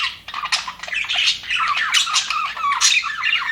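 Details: Budgies in an aviary, described as happy, giving rapid scratchy chirps and buzzy squawks mixed with short whistled notes, several birds calling at once.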